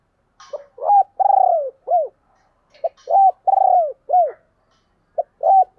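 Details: Spotted dove giving its calling coos, with urging coos mixed in: a short note followed by long, mellow, hoarse coos that arch down, delivered in phrases about two seconds apart, in a quiet background.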